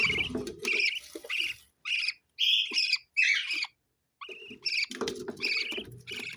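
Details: Parrot uttering clipped warbles and squeaky chirps in groups, falling quiet for about a second midway before another run of chatter, with some low rustling.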